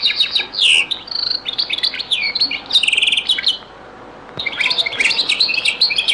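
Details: European goldfinch in the Beni Messous 'les avocats' (zaboka) song style, an old recording: busy twittering with swooping whistled slurs and a buzzy trill, a silent gap, then a renewed burst of tinkling notes.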